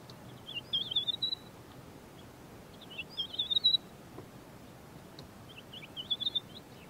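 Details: Large-billed lark (Galerida magnirostris) in the Karoo singing its loud, clear fluty song: three short, fluty, warbling phrases, high and twisting, about every two to three seconds over a faint outdoor hiss.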